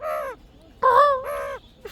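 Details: Pet parrot imitating a crow's call when its owner asks how a crow calls: three harsh, nasal caw-like notes, each about half a second, the middle one loudest, with a woman's voice nearby.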